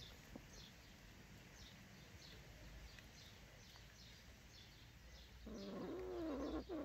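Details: Newly hatching cheer pheasant chicks give thin, high, falling peeps about twice a second over a steady background hiss, and a low human 'mm-hmm' comes at the end.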